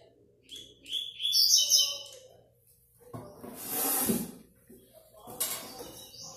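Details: 2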